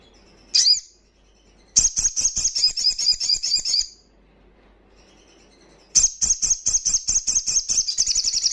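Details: Crimson sunbird, fast 'ngalas' wild-style song for boosting breeding condition and aggression in untrained birds: one sharp high note, then two long, dense, shrill trills of rapid repeated notes with a pause between.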